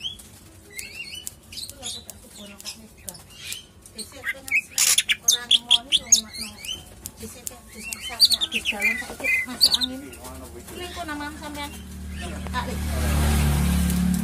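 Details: Caged greater green leafbird at a bird kiosk, singing a busy run of varied whistles, sharp chirps and rapid warbled notes, loudest in the middle; a low hum runs beneath and people talk at times.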